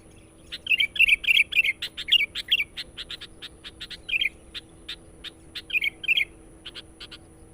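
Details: Sooty-headed bulbul song used to lure wild birds, a clean sequence of short bubbly chirps repeated several times per second, with clusters of rapid notes around paired bursts and a faint steady high tone throughout.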